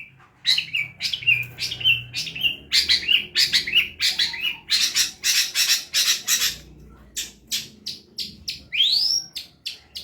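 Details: Long-tailed shrike on a bird-training recording, singing hard: a varied mix of warbled and whistled notes and harsh, rasping bursts, with a clear upward-sweeping whistle near the end.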